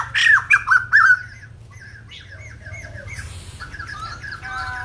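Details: White-crested laughingthrush at Kbang: three or four loud, sharp whistled notes, then quieter wavering whistles and a final burst of fluty phrases, with low background hum.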